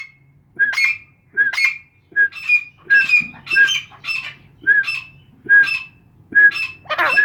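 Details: Caged grey francolins (Irani teetar) calling, kept by a breeder in Khushab, Soon Valley: loud, ringing whistled phrases repeated about once per second, each a sharp rising note with harsh overtones, several birds overlapping toward the end; faint low hum beneath.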